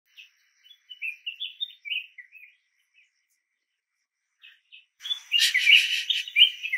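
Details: Red-whiskered bulbul in Pune, India, recorded August 1993, giving a quick series of bright, liquid chirps and warbled notes, then a burst of louder, harsher chattering toward the end.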